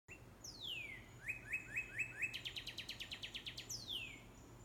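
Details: A red Northern Cardinal sings in a rainbow eucalyptus: a clear downslurred whistle, about five sharp upslurred notes, then a faster trill of about a dozen, ending on another falling whistle.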